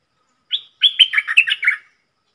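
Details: Red-whiskered bulbul decoy, singing dok taeng song for young birds to imitate and to draw wild birds; a brief whistled lead-in, short pause, then a fast three-part run of rolling, chattering notes.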